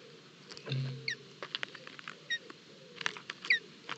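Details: Osprey chicks being fed breakfast at a nest in Barlinek forest on 25 June 2022, picked up by a live camera: high, downslurred chirps spaced about a second apart amid clicks, rustling and a brief low thud.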